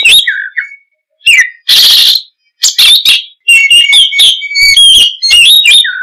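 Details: Oriental magpie-robin singing energetically, mixing clear sliding whistles, a drawn-out harsh rasp and quick chattering phrases in bursts separated by brief pauses.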